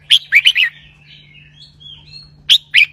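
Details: Red-whiskered bulbul in a cage sings a doubled 'berl roi' song: a fast phrase of four rich, slurred whistles, a soft thin glide, then the phrase begins again, over a faint hum.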